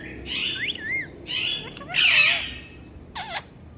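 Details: Pet talking ringneck parrot giving four loud, harsh, buzzy squawks, each carrying wavering whistled slides that rise and fall, with short pauses between calls.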